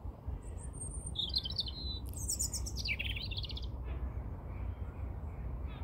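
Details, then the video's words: A European robin sings close up, one high, rapid phrase of thin whistles and quick trills that rise and fall, over a steady low rumble of wind or traffic. "Robin Sings"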